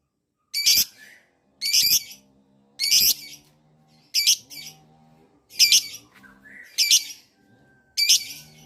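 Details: Caged lovebird, used as a lure to draw replies from other lovebirds, giving harsh, grating screeches spaced roughly a second apart, each a short burst with a quiet pause between.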